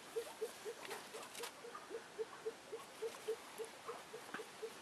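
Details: Female Elliot's pheasant on arrival, repeating brief low clucking notes at an uneven quick pace, about four per second, with faint shuffling in the background.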